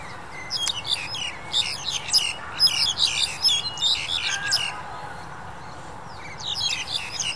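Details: Black-collared Starling in January 2021 amid the pandemic, uttering rapid bursts of grating squawks and shrill chirps, then a quieter pause before the calling resumes.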